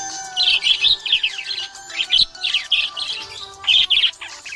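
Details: A contented budgerigar chatters in fast runs of high, buzzy, warbling chirps, several clusters a second separated by short gaps, while quiet sustained musical notes hum underneath.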